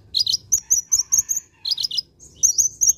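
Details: Masteran tutor track of an olive-backed sunbird for cage-bird training: lively bursts of shrill, high-pitched chirps alternating with thin whistled notes, repeated quickly in short phrases with brief gaps.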